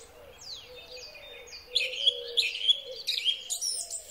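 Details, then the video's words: Song thrush singing in spring, recorded on a Huawei P30 Pro phone; faint descending whistles open, then a louder run of rapid, varied chirping phrases over a soft low wavering tone. "Drozd Śpiewak. Wiosenny koncert ptaków."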